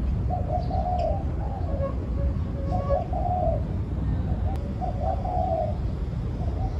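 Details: Low, mellow coo phrases of a spotted dove, several rounded notes run together and repeated through the clip, with a faint click, scattered soft chirps and a continuous low rumble behind.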